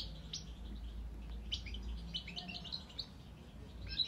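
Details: Young goldfinch nestling giving a rapid series of thin, high chirps and tweets, some overlapping, over constant low rumbling background noise.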